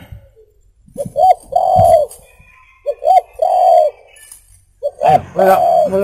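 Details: Spotted dove (tekukur) song for luring: three phrases, each two short coos then a longer drawn coo, the last phrase louder and richer.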